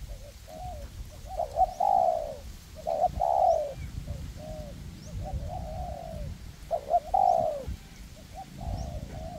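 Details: Captive spotted doves used as trapping decoys, a perch decoy and a ground decoy working together in a forest to lure wild doves. Husky three-part cooing phrases repeat every second or two, rising then falling, with low rumbling background noise.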